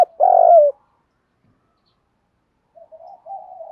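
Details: Spotted dove coo for exciting training birds: one short, buzzy, rolling note at the start, then a long pause before faint, quiet cooing resumes.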